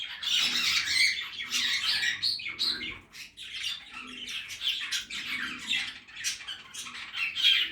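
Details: Backyard aviary budgies at their feed, giving a continuous warbling chatter of rapid scratchy chirps and short squawks from several birds, busy and unbroken throughout.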